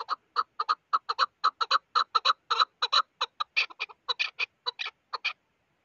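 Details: Chukar partridge producing a brisk sequence of loud, paired chuck notes, regular at first, becoming rougher and more spaced before stopping near the end.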